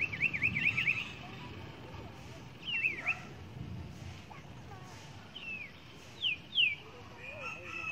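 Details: Wild huýt cô bird near a trap during the first rain of the season in rural Vietnam, a male drawn by a caged female decoy. Bursts of quick high whistled zigzag notes, then short paired downslurred whistles, with rural background noise.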